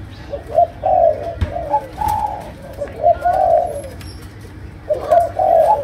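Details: Chiêu gù cooing of a Malaysian spotted dove, the sấm đồng style: grouped low hoots, two to three per burst, separated by short gaps, slightly rising then dropping, over faint background clicks.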